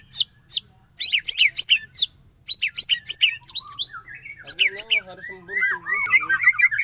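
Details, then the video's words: White-rumped shama producing an odd mix of quick, sharp chirps in rapid clusters, followed by lower, wavering whistled phrases and slurred rising and falling notes. "SUARA ANEH MURAI BATU BAR BAR"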